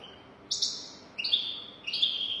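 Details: European goldfinch giving 'golden throat' song used to teach young goldfinches. Three bright, buzzy, tinkling phrases, each opening high and settling into a steady ringing tone, spaced roughly 0.7 seconds apart.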